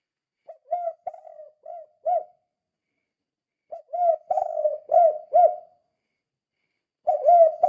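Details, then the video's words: Spotted dove giving its call to lure or stir other doves into calling: repeated phrases of soft, low cooing notes, several short coos in each burst with pauses of a second or more between groups. "Suara Burung Tekukur Gacor Kuk 2 Sangat Ampuh Untuk Pancingan"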